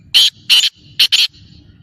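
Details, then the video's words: Loud, grating call of a black francolin: four harsh buzzy bursts, the first two spaced apart and the last two run close together, with a quiet low rumble underneath. "Kala Teetar Awaz / Blackfrancolin Voice کالا تیتر کی بولائی"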